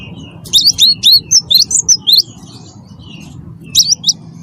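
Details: Cinereous tit of the wingko type, a lively chattering singer used to provoke other birds into singing: a fast run of high, sharply slurred chirps for about two seconds, then a brief repeat burst near the end, over a low steady hum.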